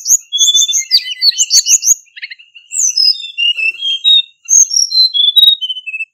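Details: A Hill Blue Flycatcher (Cyornis whitei), a male used as a lure call, sings a rich, fast run of high sweet whistles and trills, phrases rising and falling, with brief pauses between bursts.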